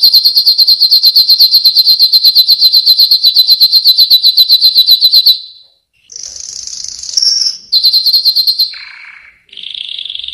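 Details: Yellow canary delivering a long rapid rolling trill for over five seconds, a short pause, then a bright higher phrase, another rolling trill, a brief lower buzzy note and a final mid-pitched trill.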